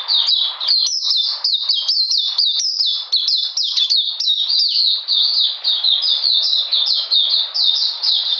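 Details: Singing Oriental magpie-robin, cold rainy day in June 2020: an unbroken stream of bright, high whistled notes, each sliding downward, delivered rapidly at about four per second for the whole stretch.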